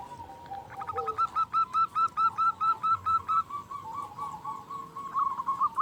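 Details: Local Zebra dove calling loudly as a lure for caged doves: an even string of about fifteen short, clipped mid-pitched notes, steady like a ticking beat, then a brief rolling phrase, over a hissing background.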